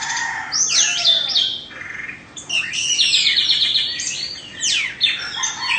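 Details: Oriental magpie-robin of Indonesian stock, a two-moult cage bird, delivers loud, fast, varied song: sweeping whistles, rapid trills and scratchy chatter in close succession, with little background noise.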